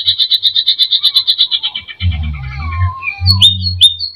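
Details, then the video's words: Greater green leafbird, singing a provoking full-repertoire song, pours out a fast, high chattering run of notes, then slurred whistles and sharp upswept calls over low thumping background noise. "Pancing emosi Cucak ijo gacor full isian"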